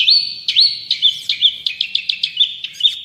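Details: Cendet, or long-tailed shrike, singing energetically as a tutoring and prompting recording: a quick string of high, varied chirps and curling whistled notes at about two per second, with no pauses.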